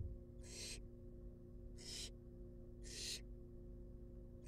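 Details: Wild barn owl chicks in a monitored nest box, begging while being fed; harsh hissing screeches, each lasting about a third of a second, repeated roughly every 1.3 seconds over a steady low hum.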